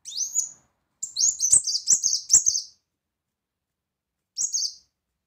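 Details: Brown-throated sunbird in full loud song, in the shot-like 'tembakan' style used as a tutor recording: high, thin, rapid chittering bursts, a short phrase, a longer run of sharp notes with clicks, then a brief final burst after a pause.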